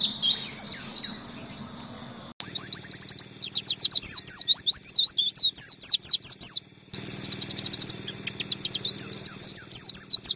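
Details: Master recording of Oriental white-eye song for training songbirds: bursts of high twittering and long runs of quick, sharply swept chirps, separated by short silent gaps, over a faint low hum.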